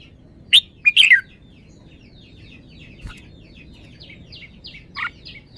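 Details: Red-whiskered bulbul, kept as a caged songbird, gives loud rich warbled notes near the start, then a run of faint quick chirps in the background and a last clear note near the end.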